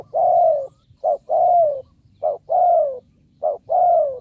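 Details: Decoy spotted dove calling to attract wild birds, rapid rhythmic cooing: a short clipped note then a longer smooth descending coo, repeated about once per second, loud and clear over faint low hum.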